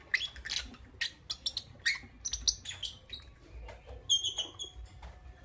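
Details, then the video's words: Lovebird chirping in the morning: repeated sharp high chirps roughly twice a second, then a clear run of short stacked whistled notes near the end. "Lovebirds Chirping Sounds"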